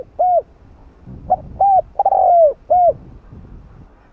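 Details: Spotted dove cooing in the 'hạp bổi' voice style, played to stimulate other doves: a short and a doubled coo, then a long drawn-out falling coo and a final short note, all low and mellow, over a quiet background.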